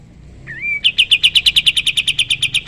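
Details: Sooty-headed bulbul song meant for training other songbirds: a short upward-curving whistle followed by a steady, fast series of sharp high notes repeating several times a second.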